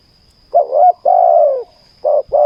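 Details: Spotted dove song heard while luring with a decoy on the ground: a wavering coo, a long level coo, then the next phrase beginning with short and long coos.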